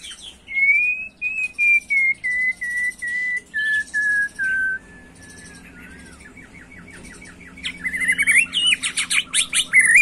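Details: White-rumped shama in an agitated, macul-style song: a slow run of clear, level whistles stepping gradually lower, a quiet pause with a soft rattling trill, then an excited burst of sharp high chirps.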